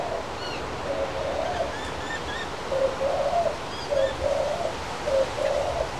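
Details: Male crested pigeon eating from a person's hand outdoors. It gives low, short cooing notes in groups about once a second against steady background hiss, with faint higher chirps from other birds.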